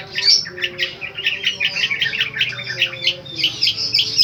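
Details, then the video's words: Long-tailed shrike delivering its repeated 'tembakan' song material with powerful voice: a varied, scratchy jumble of quick high notes and chirps, sustained without a break, with faint low background tones. "Burung Cendet "Boomtrack" Full door"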